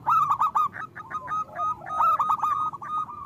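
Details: Local zebra doves in full loud song, used as a lure to get other doves singing: overlapping rapid series of short coos with harmonics, several voices at once, no other sounds.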